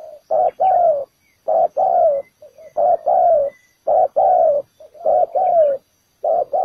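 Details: Spotted dove used as a ground decoy to lure wild doves into a trap, giving its full set of cooing phrases: low, hoarse coos in short-then-long pairs, repeated about once a second with brief gaps between groups.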